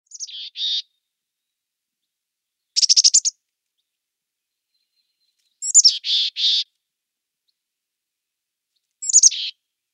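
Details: Mountain chickadee (Poecile gambeli) gives four short bursts of high, buzzy chick-a-dee notes, each a quick stutter of rough syllables, a few seconds apart against a quiet background.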